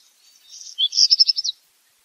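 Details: Black redstart giving a single song phrase: a soft hissing, scratchy start, then a rapid series of about six crisp, high repeated notes that end abruptly.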